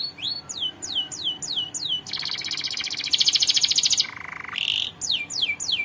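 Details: Canary singing for song training: a series of quick rising whistled sweeps, then a loud buzzy rapid trill, a lower rolling tour and a brief high note, before the rising sweeps return.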